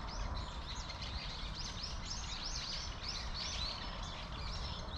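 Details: Plump Eurasian tree sparrows gathered in a persimmon tree, a flock chirping almost continuously: dense overlapping short bright chirps and twitters, many rising then falling, over a steady low rumble of background noise.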